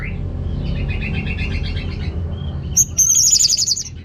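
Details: Orange-headed thrush song to prompt males lacking breeding drive: a soft repeated rattling trill, a short pause, then a loud, very high rapid trill of bright notes.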